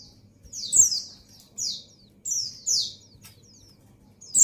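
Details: Breeding-condition female white-eye summoning the male with sharp, very high descending chirps, mostly in pairs separated by brief silences; a soft low hum lies underneath.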